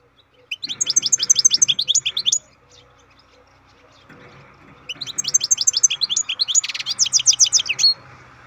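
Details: Two long twittering phrases from a captive-bred European goldfinch, each a quick series of bright high chirps with trills and a buzz, separated by a gap of about two and a half seconds with soft background hum.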